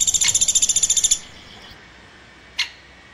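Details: High, quick pulsed chirping from a woodpecker lasts about one second, then fades into quiet broken only by a single sharp click.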